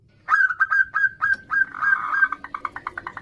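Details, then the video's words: Local zebra doves calling back and forth, a female summoning the male, used as a lure: rapid whistled cooing notes that run into a denser blurred phrase, then quicker softer repeated notes. "Perkutut Betina memanggil jantan Suara bersahutan perkutut lokal gacor"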